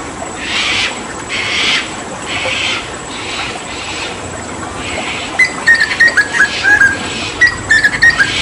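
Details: Hooded butcherbird from Papua, a mimic species, with water therapy; several seconds of rushing, spraying noise give way to clusters of short whistled and chattering notes near the end.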